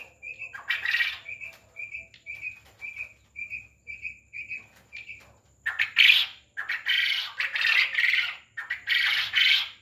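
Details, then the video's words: Farmed quail: a run of about ten short, even, high peeps at a steady pace, followed by several loud, harsh, buzzy bursts. "Quail Voice||Batar ki Awaz"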